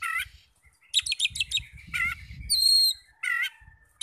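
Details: Oriental magpie-robin song played to stir rival magpie-robins to answer; loud whistled phrases and buzzy chattering bursts with pure high whistles, over faint low thumping noise.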